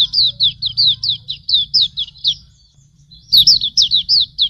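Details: Hume's white-eye, pleci auriventer, in a tutor recording: steady run of bright, high down-slurred chirps, a pause, then a denser burst of twittering notes over low background rumble.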